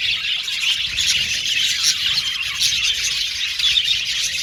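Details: Aviary colony of male violet budgerigars, a thick stream of high chattering chirps and occasional squawky notes from numerous birds calling together.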